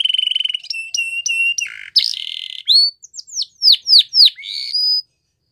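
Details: Belgian canary training song for young canaries: a rapid pulsed trill and buzzy roll, then a series of sharp falling whistles about four per second, ending on a flat whistle.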